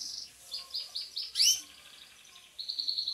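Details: Caged Belgian canaries basking in the sun; high repeated notes in quick bursts, one sharp sweeping note in the middle, then a rapid buzzy trill at the end.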